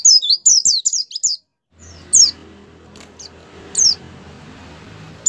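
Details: Kept white-eye singing to encourage other caged white-eyes: a brief, quick burst of high, sweet notes, then single sharp, descending chirps at intervals over a steady background hiss.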